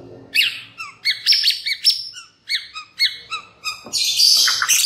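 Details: Shama lure song meant to prompt other white-rumped shamas to sing: rapid run of bright repeated chattering notes, each with a dropping tail, ending in a dense high buzzy burst, with faint low background noise.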